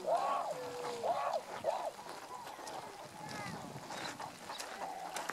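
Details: Tundra swans recorded 1 January 2014, adults and a juvenile; three strong, arched, nasal honks in the first two seconds with a sliding tone under them, then quieter distant calling.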